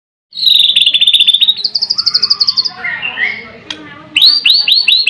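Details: White-rumped shama singing: a long series of clear repeated whistled notes, then a softer varied warble, and finally loud downward-sweeping whistles repeated quickly.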